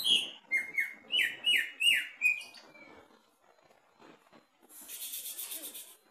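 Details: Caged greater green leafbird sings low in its cage during a mental test, giving six bright, downward-slurred whistles at an even pace, then a brief quiet spell and a harsh, noisy rasp.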